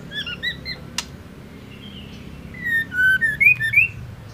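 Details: A female white-rumped shama calls to stir males into song. Soft paired whistles open, a sharp click cuts in, then a louder run of rising and falling whistled notes closes out.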